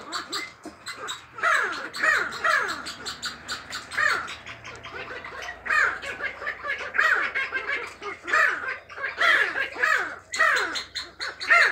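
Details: Captive sandgrouse choosing mates fill the air with a busy flock chorus of sliding, downward-swooping notes and clucks. The calls overlap in uneven bursts, and faint other noises sound beneath them.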